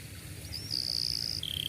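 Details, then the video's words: Canary song used to teach young canaries to sing: a long sustained whistled trill near the top of the range, then a slightly lower held trill, over a low steady hum. "KENARI GACOR PANJANG cuit cuit Ngerol Rapat Paling Dicari Untuk Pancingan Kenari Paud Belajar Bunyi"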